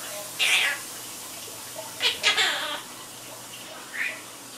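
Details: Pet Quaker parrot chattering indoors: a few short, harsh, breathy bursts, the first around half a second in, a double burst near two seconds, then a softer brief squeak at four seconds over a quiet room hum.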